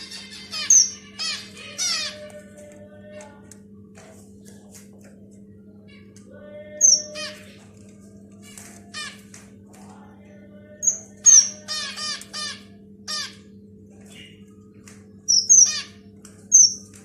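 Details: Finch chicks singing in a series of short bursts: rapid, scratchy, ticking chirp runs mixed with thin, very high whistles, repeated every few seconds with quiet gaps between, over a constant low hum.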